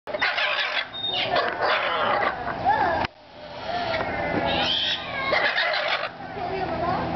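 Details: Blue parrots making a whole lot of noise at a riverbank zoo in Columbia, South Carolina, on 25 September 2010; loud harsh squawks and screeches overlap densely throughout, with a brief drop near three seconds and possible voices mixed in.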